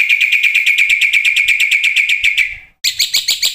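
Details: Black-winged starling singing on a training lure track meant to prompt other starlings to sing: a long fast chatter of pulsed notes that fades out, then after a gap a brighter, higher run of rapid chirps.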